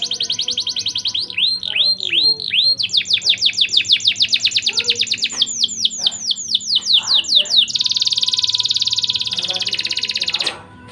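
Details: ['Canary singing steadily, a lure song meant to raise mating drive in young canaries. It opens with a few looping rising notes, then a long rapid series of falling chirps, and ends in a dense buzzy rolling trill.']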